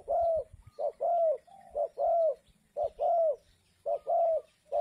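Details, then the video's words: Local spotted dove calling in the "kuk 2" style, used as a lure for wild spotted doves: deep, hollow cooing phrases, each a short coo followed by a longer drawn-out one, repeated roughly once a second without pause. "SUARA TEKUKUR LOKAL KUK 2 AMPUH UNTUK PANCINGAN BURUNG TEKUKUR LIAR"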